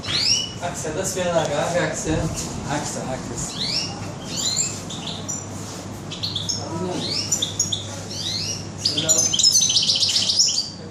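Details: In a bird shop on 21 June 2015, a European goldfinch gives a lively run of fast, high chirps and upslurred twitters, dense and continuous, with a steady low hum and some voices behind.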